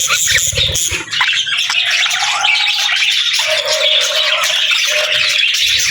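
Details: Pet budgerigars squawk and chirp in a dense chorus, with a low thud near the start and some longer drawn notes standing out amid the chatter.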